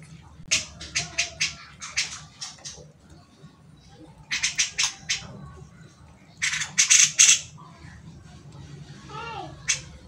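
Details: Grey-cheeked bulbul song, used as a tutor for cage fighter birds such as magpie robins. Clusters of sharp, high chattering notes come in three bursts separated by pauses, with a short lower warbled sound near the end.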